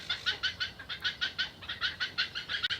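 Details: Black-headed Heron chicks at the nest begging loudly and without pause while bullying an adult into regurgitating food; harsh rhythmic squawks repeated about five times a second in a steady chattering series.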